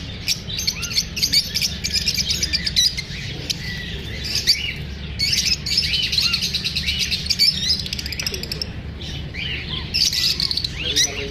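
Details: Lovebirds chirping after feeling unsafe from being filmed. Continuous overlapping high twitters and squeaky chirps rise and fall in loudness over a low, constant hum.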